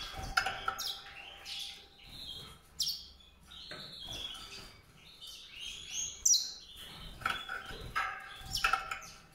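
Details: White-rumped seedeater singing: a busy run of high, thin chirps and twittering trills, some notes rising sharply, in short bursts with brief pauses and a faint steady low tone beneath.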